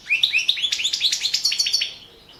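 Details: European goldfinch, subspecies balcanica, in a 2017 song championship recording; an accelerating series of short rising chirps, about a dozen bright notes in quick succession, then fading.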